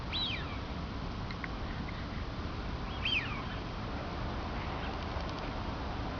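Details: A duck gives two sharp descending whistles, one at the very start and one about three seconds later, each a quick falling slur. Faint ticks scatter between them over a steady noisy hiss.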